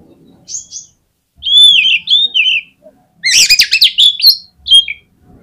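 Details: Oriental magpie-robin song used as a lure to provoke other magpie-robins into singing: loud, varied whistled phrases, some sliding and warbling, with a dense burst of sharp chattering notes after a short pause, then a final clear whistle.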